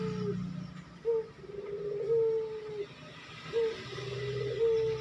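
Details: Barbary dove cooing quickly, for training captive birds: a short clipped note followed by a long, steady, slightly falling coo, heard twice, over a constant low rumbling hum.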